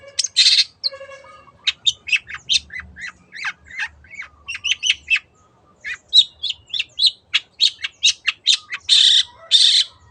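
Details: Long-tailed shrike lure song in the 'teot teot' manner: varied, fast chattering with thin whistles and scratchy chips, a short pause midway, then regular harsh notes ending in two loud rasping bursts.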